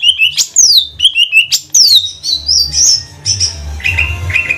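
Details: Green leafbird of the cucak ijo trotol type from Banyuwangi, whose song is known as 'bebeci bebeci', used as a lure recording: varied clear whistles that sweep up and down, then steadier repeated notes over a faint low hum.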